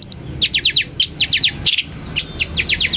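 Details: Long-tailed shrike song meant to provoke other shrikes into answering: quick bursts of sharp, high, downward-slurred notes in tight runs of three to five, separated by brief pauses, with faint low background rumble.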